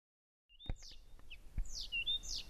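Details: A Blyth's reed warbler singing constantly and very loudly at 1 a.m. on 15 June 2014 gives a short burst of high, clear notes: sharp downslurred whistles and a thin held whistle, over low thumps of wind or handling.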